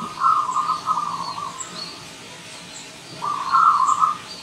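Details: A wild Zebra dove sings in the morning, giving two bursts of fast, rattling cooing notes separated by a two-second pause, while scattered high chirps of other birds and a low hum continue behind.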